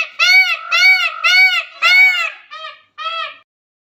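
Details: Dancing peacock giving a quick series of loud, nasal, arched honking calls, four strong notes about half a second apart, then two softer ones trailing off.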